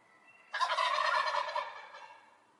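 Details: One turkey gobble, a loud rattling burst of about a second that trails away.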